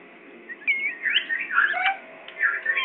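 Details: Parrot from Pakistan giving a run of whistled, warbling notes, one clear rising-falling whistle near the start followed by jumbled chattering twitters, with a faint background hum.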